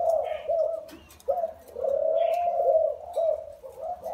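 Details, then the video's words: Cooing from a caged spotted dove, taken from the wild and kept four years: a long, hoarse, rolling coo phrase with short lead-in notes, then further low coos, plus faint high chirps from other birds. "Gáy bổi 4 năm lồng"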